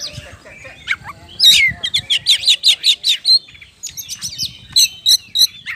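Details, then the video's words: Energetic Oriental magpie-robin singing to provoke other birds into song; a rapid string of about eight identical loud whistled notes, preceded by scattered chips and followed by further short whistled phrases. "PANCINGAN KACER GACOR NGOBRA NGOTOT"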